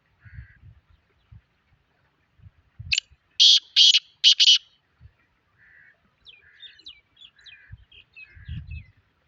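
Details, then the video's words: Black francolin, known locally as kala tetar or Sindhi tetar, gives a loud run of four harsh, rasping notes. Faint thin chirps and low rumbling sounds come before and after. "Kala tetar /tetar /tetar ki awaz boli / black francolin black Patridge sound"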